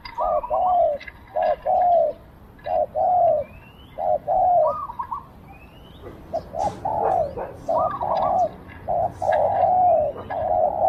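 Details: Decoy spotted dove calling in a small voice to draw in wild doves. It gives steady series of low, mellow coos, short notes paired with longer rolling ones, with faint thin whistles and chirps of other birds in the background.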